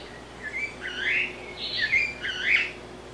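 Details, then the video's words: Blue-bellied parrot, known in Brazil as sabiá-cica: a brief run of clear, wavering whistled notes that slide up and down, several linked phrases in quick succession over a quiet background. "SABIÁ CICA Blue-bellied Parrot"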